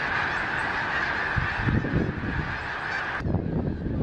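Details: Snow geese by the thousands, migrants from the Arctic wintering in Delaware, take off together over Gordon's Pond at Cape Henlopen in late December; an unbroken wall of overlapping honks with gusty low-pitched rumble beneath.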